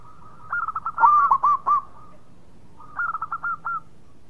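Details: Vigorous song of a local zebra dove, a fast chain of short bubbling coos that swells and then fades, with a second shorter burst after a brief pause.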